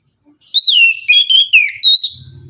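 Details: Morning song of an orange-headed thrush: loud rich whistles that rise and fall in a flowing phrase of four or five connected notes, with a faint low hum underneath at the end.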